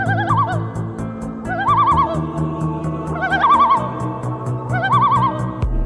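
A loon gives a wavering, yodel-like tremolo in four quick bursts, roughly one every second and a half, over steady background music.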